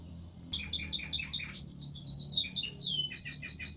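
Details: Canary singing a lively, varied phrase: five evenly spaced double-toned chirps, a tumbling run of high twittering notes, then quick repeated sharp chips at the end.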